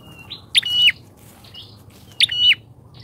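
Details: Two loud bar-winged prinia lure notes, each a harsh click burst sliding into a steady high whistle, with softer short whistles before and after.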